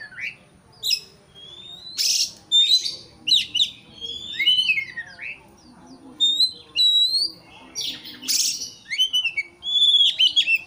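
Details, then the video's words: Agitated white-rumped shama song intended to goad a rival: many loud, varied whistles, sharp upward sweeps and harsh rasping notes, given in quick bursts throughout nearly eleven seconds. "pancingan kacer emosi supaya lawan cepat ngotot/ emosi"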